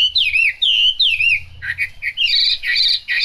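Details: Chinese hwamei in rainy weather delivering loud, fluid whistled phrases that swoop down, then break into brisk, rapid, varied notes with a low hum underneath.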